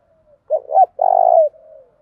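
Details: Decoy spotted dove calling to incite wild doves to fight: a faint lead-in, then two short hooked coos and a long rolling, burry note, fading into a soft trailing coo.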